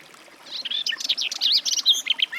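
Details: Garden warbler song starting after a brief pause: a flowing, mellow warble of rapid twisting notes, continuous to the end.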